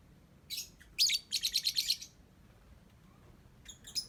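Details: Lovebird singing, a brief high chirp followed by a rapid run of shrill, pulsed twitters, then a pause and a few more sharp high chirps at the end.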